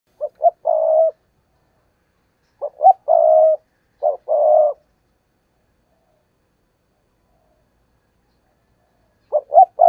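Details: Spotted dove decoy giving a 'thúc gù' coo used to lure wild doves for trapping: three loud, mellow phrases, each opening with short clipped notes and ending in a longer rolling coo, separated by pauses in otherwise quiet surroundings.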